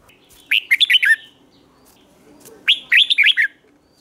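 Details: Lure song of a Red-whiskered bulbul for attracting wild birds: two quick, lilting phrases of rising and falling whistled notes, about two seconds apart, over a faint low hum.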